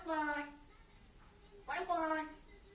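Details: A grey parrot said to speak about 200 words says two short, clear word-like phrases in a woman-like voice, separated by a brief pause, in a quiet room.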